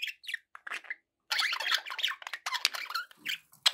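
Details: Continuous budgerigar warbling from pet birds, dense scratchy chatter mixing squeaks, buzzy notes and quick trills with only a brief pause early on.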